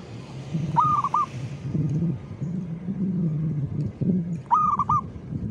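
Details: Zebra dove (perkutut) singing its rhythmic cooing song: two brief rolling coo phrases about four seconds apart, set against a steady low rumble in the background.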